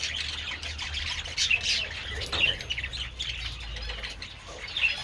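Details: Several budgerigars enjoying treats in the sun on 27 February, giving dense high chirps and scratchy squawks that overlap continuously, with a few sharper peaks, over a low steady rumble.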